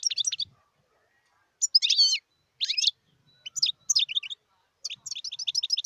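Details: European goldfinch recorded wild in 2018, singing bursts of bright twittering notes with slurred warbles between pauses. The phrases end in a quick series of repeated chirps.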